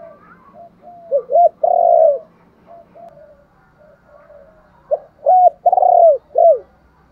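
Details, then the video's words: Spotted dove giving luring coos in two phrases. Each has clipped arched notes building to a long, hoarse coo and ends on a short falling note, with soft cooing between phrases. "cu gáy thúc gù gáy gọi/ tiếng chim cu gáy đủ bài"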